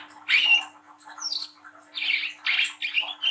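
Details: Juvenile speckled brown-throated sunbird giving a spirited ngriwik song meant to prompt young birds to sing. Scratchy, high chirps alternate with thin, rising squeaks, grouped in short bursts separated by quieter gaps.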